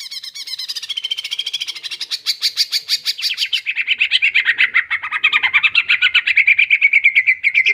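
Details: A greater green leafbird sings a long, full song of fills and extended shooting phrases. Rapid, evenly repeated chirps slide down from high to lower pitch, then turn into a buzzy, fast trill near the end.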